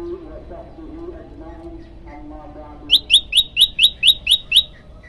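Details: Low murmuring sounds at first, then a hungry prenjak lumut starts singing: eight sharp, high, evenly spaced notes delivered rapidly in the long-shot style.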